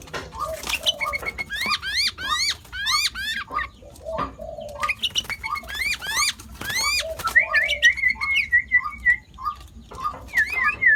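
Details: Sooty-headed bulbul (nok taet), known for imitating over five other bird species, sings a varied medley of rising whistled slurs and short chirps, ending in a wavering trill, with soft repeated low notes in the background.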